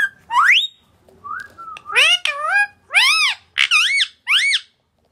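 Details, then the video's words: A parrot gives a sharp rising whistle, a short mellow note, then four or five arched, harsh whistled calls at roughly half-second intervals. "Parrot sound"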